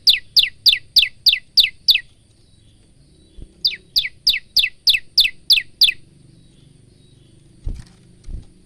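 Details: ['Male Bar-winged prinia singing in varied, energetic song: a fast string of about ten high downslurred notes, a brief pause, another similar run, then silence broken by two dull knocks. Phone recording.']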